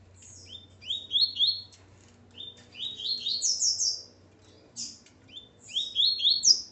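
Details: Male coleiro, or Double-collared Seedeater, kept with his female; bright high phrases of quick rising whistled notes, each phrase of three to five slurred notes, repeated in bursts with short pauses, over a faint low hum.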